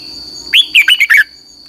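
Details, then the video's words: One quick red-whiskered bulbul phrase recorded to train other birds' singing: five bright, bouncy notes lasting under a second, sliding up then tumbling down, over a faint constant high whine. "luyện giọng cho chào mào hót hay"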